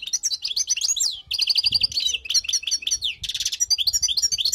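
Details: Dense, unbroken twittering from a wild European goldfinch, song intended for tutoring: high, rapid, jangling notes tumbling over one another, with a coarse buzzy patch in the latter part.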